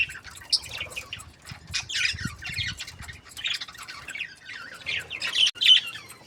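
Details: Budgerigars in breeding pairs, described as happy, fill the air with dense, busy chirps and squawky warbles, rapid overlapping notes repeating several times a second with scratchy chatter throughout.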